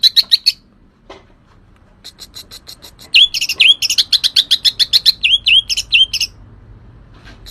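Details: Green leafbird giving energetic song: a few quick chirps, a pause with scattered soft notes, then a dense run of sharp high chirps and swooping slurred whistles before fading out.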